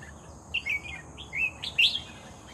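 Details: Red-whiskered bulbul caught during bird trapping, singing actively: three short bright warbled phrases, each a quick rising-falling whistle with buzzy edges, the last loudest, over a faint steady hum.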